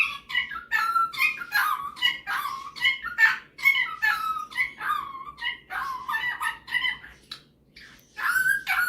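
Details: A pet male superb parrot, a talker, singer and mimic, is coaxed to sing Jingle Bells. He chatters in quick warbling phrases of harsh squawks and clear rising whistles, about two bursts a second, with a brief pause near the end.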